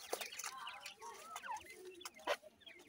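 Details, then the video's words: Young Dhakni and Irani teetar (partridge) chicks at play and fighting give soft wavering peeps and short slurred whistles, broken by a few sharp clicking knocks. "Dhakni Vs Irani Teetar chicks ki Ladai,partridge chicks playing"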